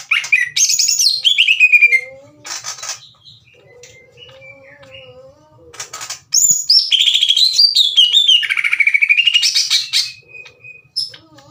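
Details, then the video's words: Captive greater green leafbird in an angry singing mood, voicing its own fill-in phrases loudly. High slurred whistles, a thin lower wavering note, then a burst of fast rising and falling warbles. "CUCAK IJO GACOR NGEPLONG DAN TEMBAKAN KASAR NGAJAK IJO LAIN TARUNG"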